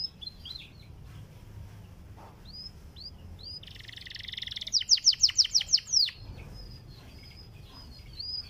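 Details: Panda canary, a domestic songbird, singing a sweet song intended to prompt canaries to sing: sparse high chirps, a buzzy roll, then a loud burst of rapid descending whistles, then quieter notes.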